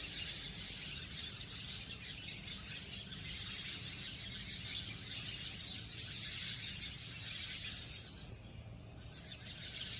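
A flock of sparrows keeps up a dense, constant chatter of high, overlapping chirps, with a low background rumble underneath.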